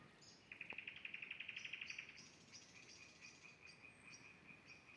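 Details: A Common Nightingale sings in spring beside a vegetable garden at a forest edge, with frogs nearby: a fast run of about fifteen sharp, high notes over a second and a half, then softer high phrases over a faint hum.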